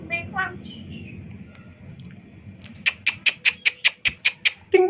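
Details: Bali myna (Leucopsar rothschildi) call: nasal, harsh notes and a brief whistle, then a fast run of about nine squawky chacks, roughly five per second, ending in a rasp.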